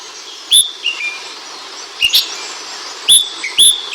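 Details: Ashy bulbul (Brinji Kelabu) master-bird chirping: sharp, bright whistled chirps with a quick rise and fall, in short clusters around half a second and two and three seconds, separated by quiet pauses.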